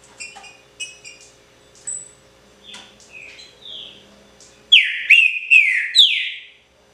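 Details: Soft scattered chirps and short whistles give way to a pixarro-type song of the green-winged saltator: four strong, slurred whistles dropping in pitch, delivered in quick succession near the end.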